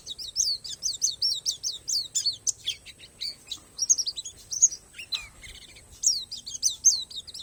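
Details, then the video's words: Palas Borneo white-eye pouring out dense, very high chirps, repeated several per second, broken by a short quieter gap before another fast volley of slurred tweets; song filled with natural phrases. "SUARA PLECI PALAS BORNEO"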